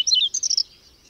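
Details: Whinchat in a May snowstorm near Domzheritsy, Berezinsky Biosphere Reserve: one short, quick phrase of bright whistled and scratchy notes, falling then rising, lasting just over half a second.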